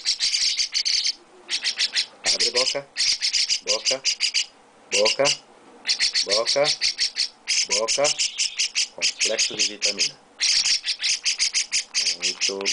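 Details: A young chestnut-cheeked starling being hand-fed gives harsh, hissing calls in rapid bursts, repeated almost without pause, while a person speaks softly nearby.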